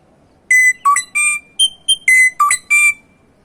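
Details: Samyong bird giving a string of eight clear whistled notes in about two and a half seconds, alternating flat high tones with lower notes that jump upward, each ringing and tonal against a quiet background.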